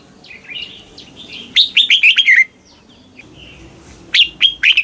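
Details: Red-whiskered bulbul, Thai southern-style song for young birds to copy: softer twittering notes open, then a loud burst of bright descending whistles, followed by quieter chatter and another strong whistled phrase.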